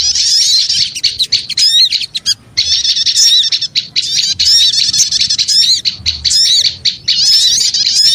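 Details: Lure sound of many small birds calling noisily together: a sustained, crowded chatter of thin, high squeaky notes and quick slurred twitters, broken by a few brief silences.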